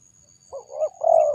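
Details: Spotted dove giving a short two-part coo, low and mellow, a softer first note followed by a longer, fuller second note, with faint low rumble beneath.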